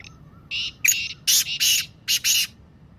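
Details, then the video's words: Kala Teetar, or black francolin, calling to trigger calling in captive birds. A run of about seven harsh, grating notes, the later ones louder and paired, over a quiet hiss. "کالے تیتر کی مستی والی آواز - Kala Teetar Calling Voice"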